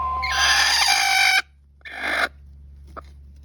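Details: Araucana chicken kept at home, one of its several situation-dependent calls: a harsh, noisy squawk lasting over a second, then a shorter second squawk, over a steady low hum.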